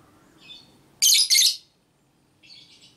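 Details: Female lovebird ngekek meant to make other lovebirds respond. Two loud, harsh, shrill bursts come in quick succession, with softer chittering notes before and after them.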